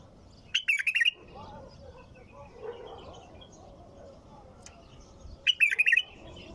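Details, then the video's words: Bulbul delivering two short gurgling song phrases about five seconds apart, with faint murmuring sounds and soft background noise between them. "تغريد بلبل طور بدون توقف"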